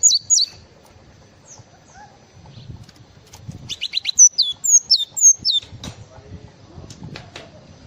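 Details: Java sparrow mixing scattered high chirps with a busy run of sharp, downward-curling notes mid-way, over low rustling background noise.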